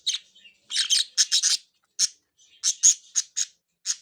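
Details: Captive budgerigars, three birds at play, giving bright, clipped high chirps in clusters of two to four, separated by short silences, with a faint warbling chatter between bursts.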